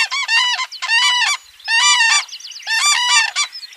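A common crane gives loud, rolling trumpeting calls in four bursts, each about half a second long, with brief gaps between.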